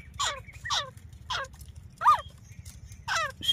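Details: Grey francolin hen, Layyah in Pakistan's Punjab, giving a hunting call: grating, descending squawks roughly every half second, some doubled, against a steady low mechanical drone.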